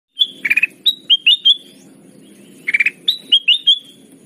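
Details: Kutilang emas, a golden bulbul, in a lure recording for bird trapping, described as lively, chatty and crystal-voiced. Two buzzy chirp bursts, each followed by four to five clear whistled notes, with a faint low hum beneath.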